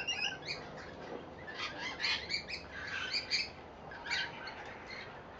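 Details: Several rainbow lorikeets on a verandah in Victoria, Australia, eating seed put out for them, chattering with continuous, overlapping, scratchy squeaks and screeches, somewhat distant.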